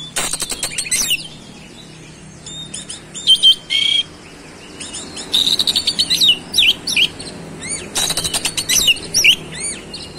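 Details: Oriental magpie-robin in full, fast 'roll speed' song showing off its fills: dense clusters of rapid high chirps, slurred whistles and trills, with short breaks between busy phrases over a faint background hum.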